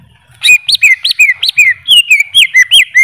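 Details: Greater green leafbird song made of loud, clear whistled notes that arch up and slide down, repeated about three times a second in a steady chain.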